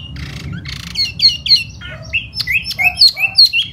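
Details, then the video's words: Spring laughingthrush song with fanning display: two raspy bursts open a rapid mix of looping whistles, chips and slurred notes, about three per second. "Mùa xuân xem chú tiểu mi hót xoè rất hay"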